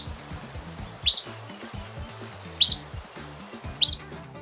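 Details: Acadian Flycatcher in Costa Rica, a bird of dense forest understory and forest edge, giving its loud call: three sharp, high, upslurred 'peet' notes about a second and a half apart, over quiet background music.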